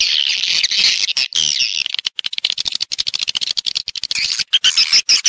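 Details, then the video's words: Swiftlets in a recording used to lure them into nest houses: continuous high, buzzy twittering from a crowd of birds, thick at first and breaking into rapid chirps, with sharp whistled squeaks at the end. "ÂM THANH CHIM YẾN HIỆU QUẢ NHẤT"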